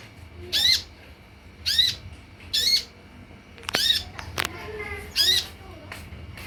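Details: Olive-backed sunbird calls played to make birds respond: rough squawky notes roughly every second, broken midway by a sharp click and a brief sliding squeal, quiet background otherwise.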